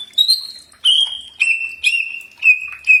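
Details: Common iora (cak ijo) training audio: short bursts of clear level whistles, some starting with a sharp click, repeated about every half second.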